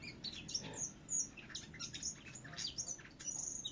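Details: Finch, a bird kept for song contests in Vietnam, singing in a contest style behind a house: fast, high, twittering notes with sharp upward and downward slurs in quick bursts. Low background hum throughout.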